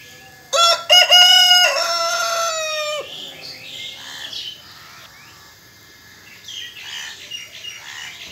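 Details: Rooster crowing: one loud crow with rich, stacked tones, held and drawn out for about two and a half seconds before cutting off, followed by faint chirps from other birds against a low background hiss.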